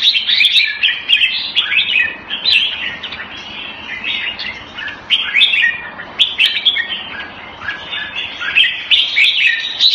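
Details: Red-whiskered bulbul (jambul) from the songbird hobby, pouring out busy chattering and whistled phrases, about four short bursts every second, loud and rich throughout with only slight pauses.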